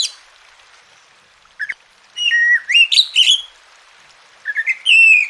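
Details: Oriental magpie-robin song from a masteran aimed at lazy, quiet kacer. After a near-silent start, a few short sweet notes lead into a run of upslurred whistles, then another brief rising phrase.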